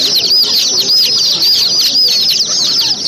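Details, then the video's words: Chicks in a brood, peeping constantly: dense, high, downward-sliding chirps overlap in a steady chorus with no pauses. "chicks sound"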